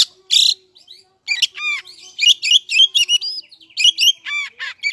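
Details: Vigorous oriental magpie-robin song used to lure other magpie-robins into replying: a rasping burst, then fast varied sequences of whistled, chirping and scratchy notes in quick succession, continuing almost without pause.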